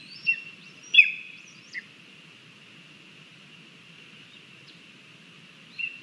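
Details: Lesser spotted eagle chick at a nest in Latvia, filmed by a live nest camera on 17 August 2022 at breakfast, crabby and pushing its mother out after she brings two frogs and a vole; three brief high whistled calls over a steady insect hum.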